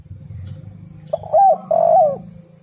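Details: Spotted dove, played to lure other doves into calling, gives two mellow, slightly wavering coo notes about half a second apart after a quiet start, over a low steady rumble in the background.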